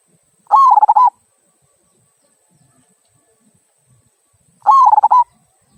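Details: Local zebra dove, "kung" voice, sung to prompt other birds: two identical quick phrases of stuttering, pulsed coos, each about half a second long and roughly four seconds apart, with near silence between.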